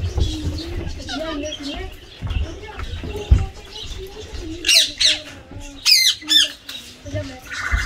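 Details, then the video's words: A tame pet Indian green rose-ringed parakeet, a talking bird, playing with water gives harsh, high squawks and chattering, speech-like mumbles, with loud shrieks near the end over a low background rumble. "Indian Green RingNeck Most Intelligent Parrot In Talking And Funny Sound"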